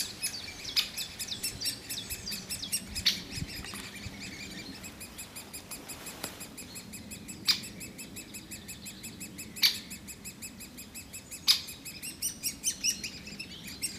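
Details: Woodpecker chicks being fed by the female and male parents keep up a high, buzzy, unbroken chatter of begging calls, with sharper, louder squeaks bursting out every two seconds or so.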